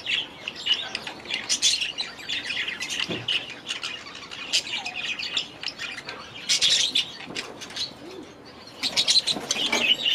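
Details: Several budgerigars in their aviary chatter and squawk over ten seconds, a steady mix of raspy notes and bright chirps, with louder bursts near the middle and end.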